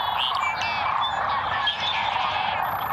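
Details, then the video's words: Large flock of Lesser Sandhill Cranes in winter wetlands at Merced National Wildlife Refuge, Central Valley, California, 11 February 2021: dense, steady chorus of rolling, rattling calls overlapping into a continuous croaking roar. "Lesser Sandhill Cranes"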